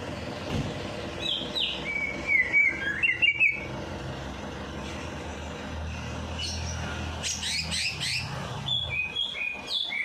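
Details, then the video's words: A bird singing, played to get a lazy bird to sing after a night bath. Short whistled and chirped phrases come in two bursts, separated by a quieter gap. Low rumbling background noise, possibly traffic, runs throughout. "Perangsang Burung Malas Bunyi || Habis Mandi Malam Langsung Cor Dor"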